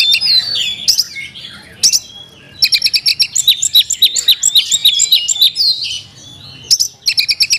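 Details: .Oriental magpie-robin, a kept songbird, delivering a rich varied song of sharp whistles, chirps and rapid repeated high notes in bursts with brief pauses, including mimicked phrases.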